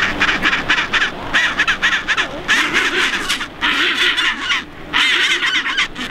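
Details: Chinstrap penguins on Half Moon Island in the South Shetland Islands, near Antarctica. Loud, raspy, pulsing brays arrive in separate bouts of about one to two seconds, with short, quieter gaps between them and other colony voices in the background.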